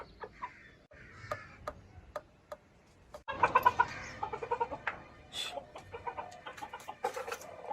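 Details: Chicken clucks. The clip opens quietly with sparse clicks and a few faint notes, then a burst of denser, louder clucking and chattering calls follows for the remaining seconds.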